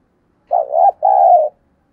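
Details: Caged decoy spotted dove cooing quickly to provoke wild males: one hollow, mid-pitched phrase of a wavy rising note and a longer flat coo that fades downward.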